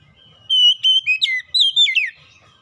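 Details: Lure song of the Oriental magpie-robin (kacer), aimed at making a lazy bird sing: a level whistled note leads into a quick series of slurred, dipping whistles and twittery chirps lasting about a second and a half.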